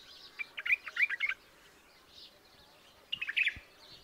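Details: White-eared bulbul song: a short burst of quick, bubbly chirped notes, a pause of nearly two seconds, then another similar chattering phrase.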